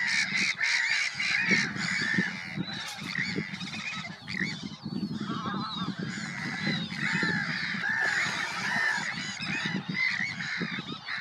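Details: Sandwich terns recorded at Påarp, Halmstad, Sweden, on 9 July 2024: many harsh, grating calls overlap in a dense, continuous chorus of several birds, with a steady low rumbling noise beneath.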